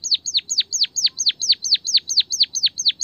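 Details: White-headed munia, known locally as emprit kaji, in a recording used to prompt singing. A very regular string of loud, high downswept whistles, about four each second, runs without a break.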